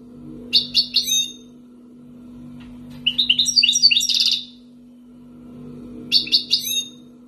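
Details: Wild-origin European goldfinch raised for two years in Algeria delivers a few clipped chirps, a fast tumbling twitter ending in a buzzy trill, then more crisp chirps; low constant hum behind.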